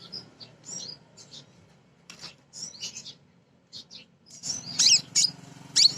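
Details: Female Crimson sunbird calling males, played to coax birds into singing: soft high twitters at first, building into louder, scratchy, buzzy high chatter near the end.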